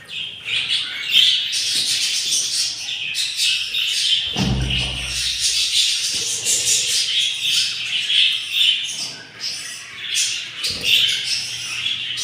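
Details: Hungry budgerigar chicks in the nest of a yellow pair, day 7 after four eggs hatched, give dense, continuous raspy hissing calls, with a single low thump midway and faint background sounds.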